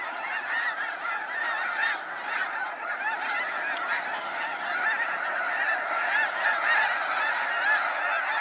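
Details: At Sacramento National Wildlife Refuge, waves of snow geese depart at sunset, their honking chorus dense and restless, many close yelping calls piling up and swelling slightly toward the end.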